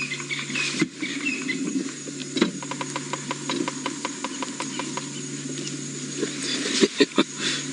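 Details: Bearded Woodpeckers on an afternoon drive at Djuma Game Reserve, Sabi Sand, Kruger, South Africa, 2 August 2017, give their territorial knocking: sharp, evenly spaced drumming, several knocks per second lasting a few seconds, over engine hum and faint voices.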